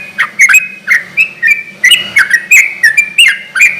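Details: Lively sooty-headed bulbul song meant to provoke other bulbuls into replying: bubbly, slurred whistled notes dipping and rising, delivered in quick pairs with sharp clicky onsets, steady and loud throughout.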